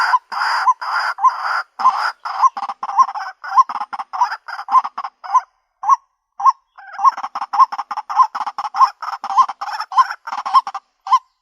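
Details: Female white-breasted waterhen calling for a mate: loud, harsh honking notes repeated rapidly, nearly twice a second, in a steady series with a brief pause near six seconds, then resuming.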